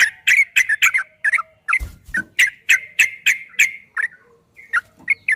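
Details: Yellow-vented bulbul song used as a training recording for caged bulbuls: bubbly, gurgling mid-pitched notes in quick irregular bursts, with short gaps and a brief low thump.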